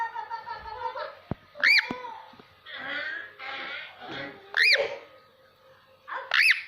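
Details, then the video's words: Caged ringneck parakeet talking and whistling in varied voices indoors: loud arched whistles repeat about every one and a half to three seconds, separated by murmured, speech-like chatter in a small room. "Ringneck parrot talking and different voices of whistling sounds"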